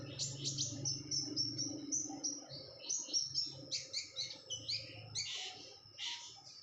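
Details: Breeding-condition female red-whiskered bulbul calling eagerly: bright high chirps and short whistles strung together in quick succession, growing busier toward the middle before tailing off, with a soft low hum underneath.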